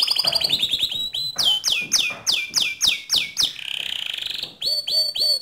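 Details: Canary 'ngerol nembak' song used to provoke other canaries into song: an opening trill, a run of loud falling whistles, a fast rolling trill, then several repeated notes.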